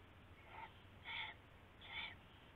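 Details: Owl at night on February 19, 2016, with rabbit prey being passed and seized; three rasping calls in quick succession, roughly every three quarters of a second, the first softer.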